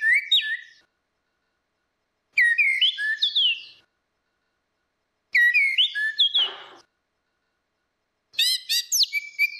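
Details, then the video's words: Orange-headed thrush, a female and a male, used as a lure: four varied whistled phrases with slurs and twittering chatter, one phrase ending in a harsher rasping note, separated by silent pauses. "SUARA ANIS MERAH BETINA VS ANIS MERAH JANTAN NGEPLONG || PANCINGAN ANIS MERAH MACET"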